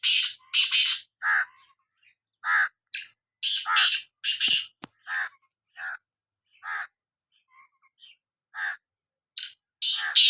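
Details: Sindhi black francolin calling: harsh, grating buzzy notes in rasping clusters of three or four, separated by short silences over about ten seconds, with no other sounds.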